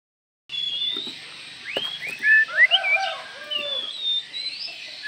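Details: Oriental magpie-robin calling, a call said to stir up other magpie-robins within seconds: varied whistled phrases with rising and falling slurred notes and a few louder bursts over steady background hiss and faint low noises.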